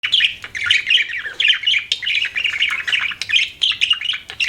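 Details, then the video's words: Budgerigar chirping: a busy stream of buzzy, scratchy warbles and short squeaky notes, continuous with brief gaps, in a quiet indoor setting. "BUDGIE CHIRPING SOUNDS"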